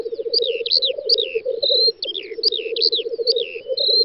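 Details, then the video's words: Several black grouse lekking on a spring field in the Volga federal district of western Russia, 9-10 May 2019: a continuous low bubbling, cooing murmur, with bright, quick whistled songbird phrases above it throughout. "Тетерев-косач токует"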